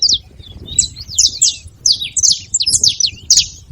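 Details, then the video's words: Several saffron finches together, noisy: rapid, overlapping high chirps and sharp downslurred notes in quick, irregular bursts, with no other clear sounds. "Canário da terra junto fazendo barulho"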